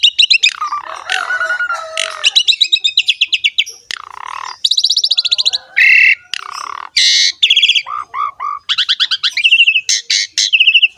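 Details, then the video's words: Jalak suren (Javan pied starling) in its 'ngerek' singing: long stretches of rapid ticking chatter alternating with harsh squeaky rasps, descending slurred notes and high metallic bursts, nearly continuous for eleven seconds. "BURUNG JALAK SUREN GACOR NGEREK ISTIMEWA"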